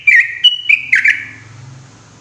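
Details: Trucuk, the sooty-headed bulbul, in a morning therapy recording for cage birds: four quick, bright, fluty whistled notes in a bubbling phrase, then a soft trailing tone over a faint low hum.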